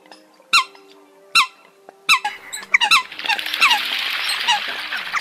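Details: Eurasian coot calls used as a lure for night net trapping during the 2022 bird season, end-of-season version: a few separate nasal harmonic notes, then a dense overlapping chorus of calls over a hiss of noise.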